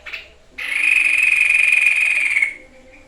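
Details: Sniper bird, or White-chested babbler, singing actively: one loud, pure, sustained whistle held level for about two seconds, then fading, preceded by a brief soft note.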